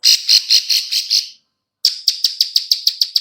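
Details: Female bar-winged prinia giving a clicking call used to lure other birds: a run of dry, rapid clicks at about two per second, a short pause, then a sharper, faster clicking series.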